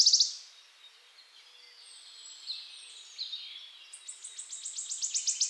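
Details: {'text': 'Wood warbler (Phylloscopus sibilatrix) song: a brief high trill, a quiet stretch of soft thin notes, then an accelerating series of sharp high ticking notes building toward a trill.'}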